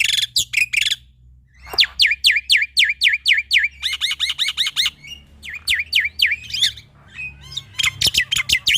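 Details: Male Black-winged Myna (jalak putih) in full, varied song used as a tutor for young starlings: chattering bursts alternating with runs of loud, fast, downward-sweeping whistles.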